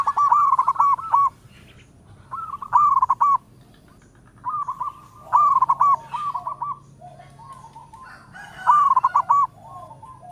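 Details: Local perkutut, or zebra dove, calling in all directions with a melodious voice: stuttered, rolling coo phrases repeated about every two seconds, one longer sequence in the middle, over a quiet low background hum.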